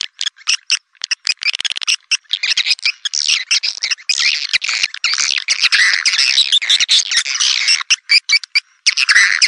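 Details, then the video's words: Lure sound for attracting swiftlets: scattered sharp clicks and chirps at first, building into a thick, continuous twittering chatter, then breaking into clipped chirps again. "Suara Panggil Burung Walet"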